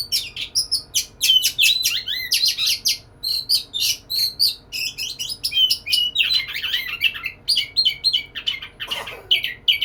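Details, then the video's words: Courting white-rumped shama in full, lively song toward a female: long rapid medley of clear whistles, sharp clicks and twittering slurs, high-pitched and continuous, with one brief lower rasp near the end. "Burung Kacer gacor merayu betina"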